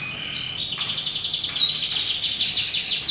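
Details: Canary song used to prompt other canaries to sing: a high, dense buzzy trill that runs continuously with rapid repeated pulses and rising intensity.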